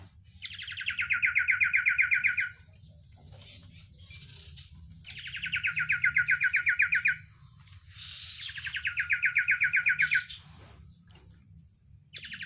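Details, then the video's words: Oriental white-eye song praised for its many spicy "isian" fillers: three bursts of fast, rattling trills, each about two seconds long, separated by quieter chattering pauses, with a low hum throughout. "sirtu isian luber banyak pedes"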